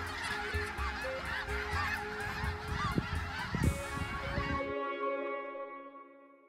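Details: A big flock of wintering snow geese in Vancouver, migrants from the Arctic, yelps and honks in a dense, overlapping chorus that cuts off abruptly, giving way to a fading, steady tonal hum.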